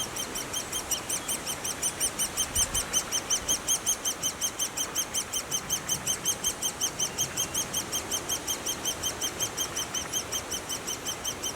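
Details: Great spotted woodpecker at its nest: a steady, high-pitched chorus of short arched chirps, repeated nearly three times a second with even rhythm throughout, over faint low background rumble.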